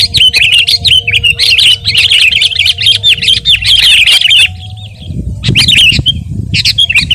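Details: Sooty-headed bulbul singing hard: rapid, warbling, chirpy phrases that run on for several seconds, then a pause and a few scattered notes, with low background noise.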